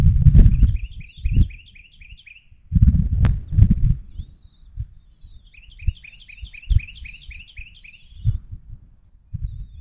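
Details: Bald eagle at a Little Miami Conservancy nest during a feeding with chicks, 29 March 2023; two runs of rapid, high, descending chittering notes, interrupted by loud low thumps and bumping sounds.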